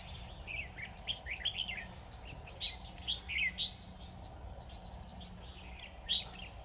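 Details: Red-whiskered bulbul used as a decoy in a trap, singing to lure a wild bird: short bright warbled phrases in scattered bursts, a quieter steady hum beneath.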